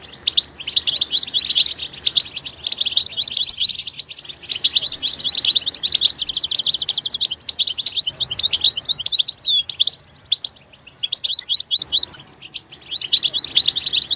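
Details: Extended goldfinch song in a natural setting, a dense stream of high, tinkling chirps and buzzy trills running in long phrases separated by brief silences.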